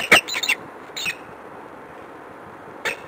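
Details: Peregrine falcon at a city nest site on the Palace of Culture and Science, Warsaw, Poland, 21 February 2015 around 14:10; harsh, raspy calls in a quick burst of three or four, then single calls near one second and near three seconds.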